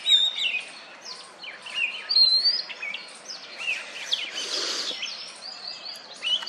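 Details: Oriental magpie-robin perched on a wooden stump, ruffling its feathers and calling to females during courtship; a busy run of varied high whistles, chirps and slurred notes, with other birdsong mixed in behind.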